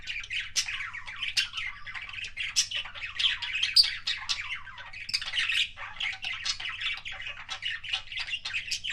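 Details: Kissing sounds of a pet budgerigar: rapid rasping chatter and clicky chirps running steadily for several seconds, bright and high, with a soft hum underneath and no other birds.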